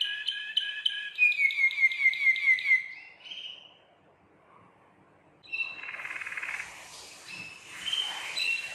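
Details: Belgian Waterslager canary, a song-bred breed: a string of regularly pulsed notes about three per second, a pause, then a softer hissing roll.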